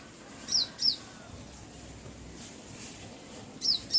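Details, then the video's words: A bird gives quick, high, down-slurred chirps in pairs, one pair early and another near the end, with a quiet hissing background between. "bird Chirping sound"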